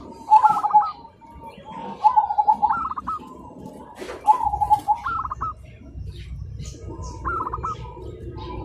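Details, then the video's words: Morning song of zebra doves calling back and forth: four quick, trilling coo phrases, each ending in a stepped upward flourish, spaced about two seconds apart. A low hum of background noise fills the later part. "Perkutut Manggung Di Pagi Hari Saling Bersahutan Dan Ramai"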